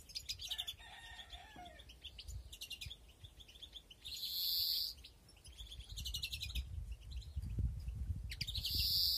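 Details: Aviary-bred European greenfinches, 2021 breeding season with several nests: three loud, long nasal wheezes spaced a few seconds apart, separated by rapid chirping trills. A lower tonal sound comes briefly near the start, over steady background noise.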